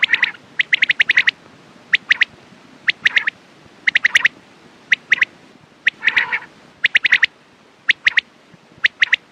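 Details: Morning and night quail calls: bursts of quick, sharp high notes in clusters of two to five, with gaps between them and one rough, buzzy call partway through.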